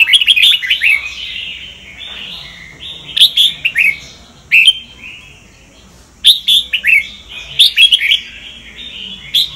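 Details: Sông Kon Red-whiskered bulbul song meant to train the voices of other birds; quick chirped bursts alternate with lower rolling whistles, in loud groups about every three seconds.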